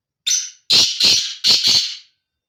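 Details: Breeding call of a male black francolin, a loud grating phrase of five notes: a thin first note, then two rapid doublets of rough, scratchy calls, delivered cleanly with silence around it.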